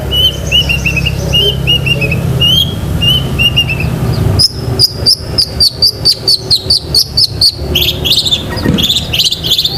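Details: Long-tailed shrike in 'gacor isian' singing style, for training pet shrikes: a run of short whistled notes at steady pitch, then a fast rattling series of sharp clicks and high chirps, with a low hum beneath.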